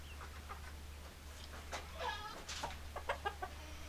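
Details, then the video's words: Domestic chickens clucking: a string of short, clipped clucks, sparse at first and then quickening into several louder bursts in the last two seconds, over a steady low hum. "Chicken Sounds Noises Hens Clucking Roosters Crowing"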